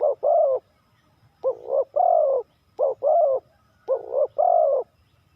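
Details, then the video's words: Spotted dove giving its '3-kuk hanging' cooing style: four phrases, each a short coo followed by a longer, lower, rolling coo, with pauses between, over a faint low rumble. "เสียงนกเขาใหญ่ 3กุกห้อย เรียกลงกุก2กุก"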